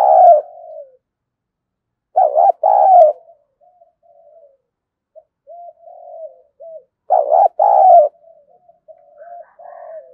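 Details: Decoy spotted dove, a bird kept for luring, in the local 'thổ' voice style, giving its full set of coos (thúc, gù, gáy gọi). Loud, low, mellow coo bursts come at the start, middle and end, with soft murmured cooing between them.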